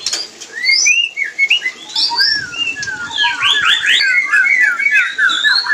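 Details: White-rumped shama mating sound to stimulate other shamas to breed: loud, varied whistled phrases with rising and falling slurs, then a fast cascade of repeated notes.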